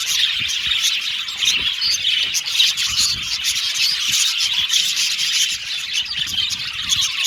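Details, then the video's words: Group of Australian budgerigars chirping contentedly, nonstop high-pitched chattering and tweeting with quick chip notes and soft trills layered over one another, evenly loud. "Beautiful Cute Budgies Chirping Sound | Australian budgies Singing sound"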